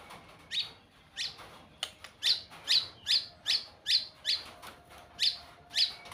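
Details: White-rumped shama giving a steady series of about ten short, sharp, high chipping notes, each a quick downward flick, spaced roughly every half second over a faint background hiss.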